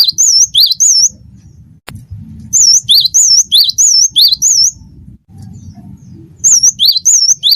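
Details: Wingko-type cinereous tit in full song for bird training, giving bright, high, swooping whistled double notes in quick runs of about four to six, broken by a brief gap and a single click.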